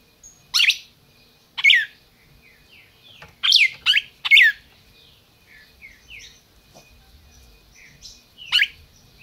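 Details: Captive red-crested cardinal in Brazil mixing loud sharp falling chips, some in pairs, with quieter whistled warbling phrases in between.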